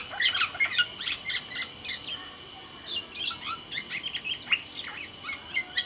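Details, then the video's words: Black-naped oriole, the Sumbawa kepodang, a kept songbird, chattering in rich song: rapid high twitters, clipped whistles and sharp chips in dense bursts with a short pause midway. "suara burung kepodang sumbawa GACOR DOR"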